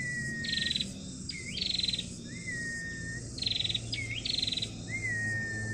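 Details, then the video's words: Female prinia call used to get other birds singing: short buzzy, rattling bursts alternate with thin drawn-out whistled notes that sweep up, then level or slide down, repeated in a quick exchange over a low background hum. "prenjak betina bahan bikin nyegerin tahap los"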